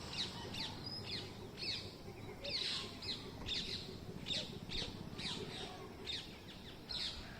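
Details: Green parrots on a mango tree, filmed by phone while bird watching: sharp, raspy screeches repeated roughly every half second, loud and steady over a faint low hum.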